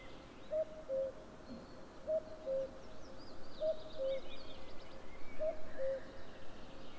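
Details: A common cuckoo calls at 07:06 on 11 May 2022: its falling two-note 'cu-coo' four times, about every one and a half seconds, over steady low rumble with faint high birdsong behind.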